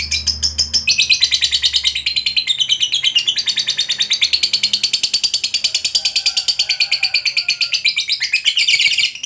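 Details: Kept fighter lovebird giving a long 'ngekek' chatter, used to provoke other lovebirds into singing: a rapid, high, buzzy trill of even pulses about three per second, running almost unbroken for nine seconds, ending in a brighter burst.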